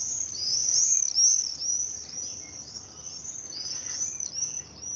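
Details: Screaming party of Common Swifts arcing low and repeatedly over an Oxford house fitted with nest boxes, showing they nest nearby; loud, piercing high screeches stream on without a break, rising and falling in waves.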